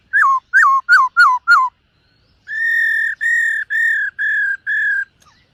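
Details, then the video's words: Singing and dancing black-throated laughingthrush in morning voice training: five quick descending slurred whistles, a brief pause, then six steady, level, drawn-out whistled notes at an even pace. "Khướu BẠC MÁ hót MÚA luyện giọng . Khướu hót sáng luyện giọng kích bổi"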